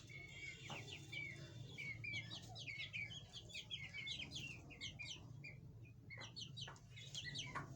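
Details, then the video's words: Chakor, or chukar partridge, adults with chicks: dense overlapping high chirping and twittering from several birds, with clustered bursts and short pauses, over a low background hum. "Chakor Ki awaz | Partridge Bird chakor sounds"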